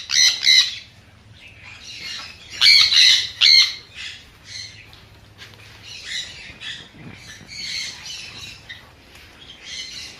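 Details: Sun conure uttering loud harsh squawks in clusters, a pair early and a strong trio near three seconds, followed by softer scratchy screeches.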